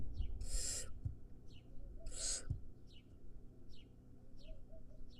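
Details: Two loud, rasping hisses from a wild barn owl nestling, about a second and a half apart, while small birds keep up quick, thin downslurred chirps in the background.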